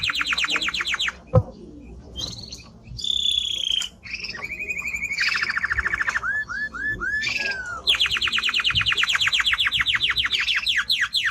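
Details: Timbrado canary delivering varied song: fast trills, high piercing whistles, buzzy rolls and bubbling phrases, ending in a long rapid run of repeated notes.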